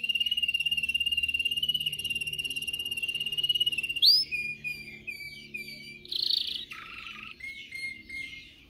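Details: Canary song meant to teach other canaries: a steady rapid high trill for four seconds, then a sharp upward note leads into shifting rolls and whistles, including one lower dipping phrase.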